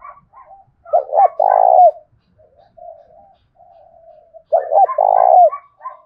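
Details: Spotted dove used as a decoy, 'thổ đồng' voice style, calling to stir a rival into fighting: two loud low coo phrases, each a short stuttered note then a long rolling burr, with soft murmured cooing between them.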